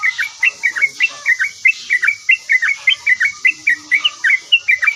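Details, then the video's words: A yellow-vented bulbul sings vigorously and is said to respond straight away, giving a regular series of short, down-slurred chirps roughly three per second against a faint steady hiss. "OCEHAN BURUNG TRUCUKAN GACOR LANGSUNG NYAUT"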